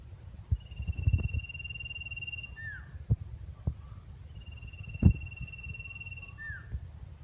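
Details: Two phrases from a male common iora, each a drawn-out flat whistle followed by a brief downward-slurred note, separated by a short pause, with occasional low thuds.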